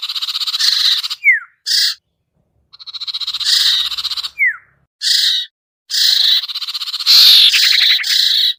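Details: Lure recording of the sertu or common iora, played to bring down birds that stay up: buzzy grating stretches, brief harsh chips, two descending whistled slurs and a quick rattle near the end.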